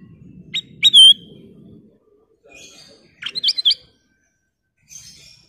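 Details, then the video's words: Sooty-headed bulbul of golden colour: a sharp note and a bright bending whistle, then soft buzzy chatter and a fast cluster of jumbled whistles, with a low hum early on. "Kicau Burung Kutilang Emas Gacor full isian, suara jernih"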